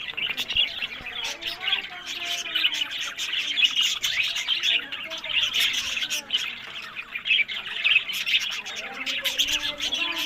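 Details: Breeding budgerigars held in Larkana, Sindh fill the air with dense, warbling chatter: rasping, squeaky notes and rapid chirps from numerous birds blending into one continuous flock sound.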